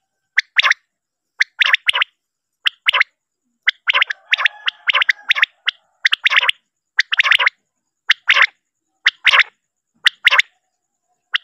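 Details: Male common quail, offered as a lure call for quail hunting, gives sharp, dry, clipped bursts about once a second, with a brief rasping, buzzy passage in the middle.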